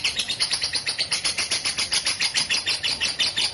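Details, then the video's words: Lovebird ngekek, a long chatter used as a master recording for training songbirds: rapid, harsh, high chattering pulses repeated about six times a second throughout, over a steady background hiss. "Suara Lovebird Ngekek Panjang"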